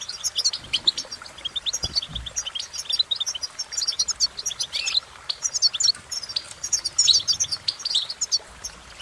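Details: Goldfinch song, a dense run of high tinkling chirps and quick trills that rises and falls in lively bursts, with a short low thump near the two-second mark.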